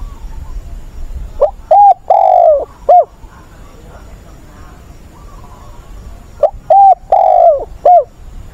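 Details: Decoy spotted dove voicing an agitated newly caught bird, used to train wild-caught doves. Two cooing phrases about five seconds apart each run short note, flat coo, long descending coo, final hoot. A faint distant coo is heard between the phrases.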